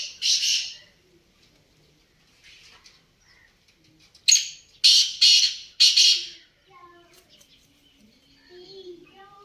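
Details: Black francolin (kala teetar) calling: one harsh, grating burst, then after a pause a rapid series of three loud rasping notes about half a second apart, with faint softer bird notes in the background.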